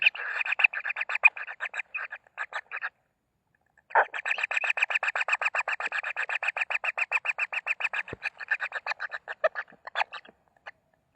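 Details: Young common kingfishers in the nest at feeding time give bursts of quick, scratchy ticking notes, a short run, a pause of about a second, then a longer, steadier churring series that trails off.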